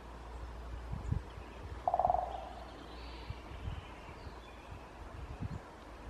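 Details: Great spotted woodpecker drumming in spring at Shunkunitai wild bird park, Nemuro, eastern Hokkaido: one short, rapid drum roll under half a second, over a steady low rumble of wind or distant traffic.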